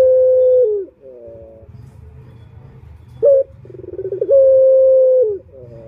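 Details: Luring call of a male turtle dove: a long steady coo falling at its end, soft harmonic notes, a short loud note, accelerating pulses, then another long coo, low hum behind.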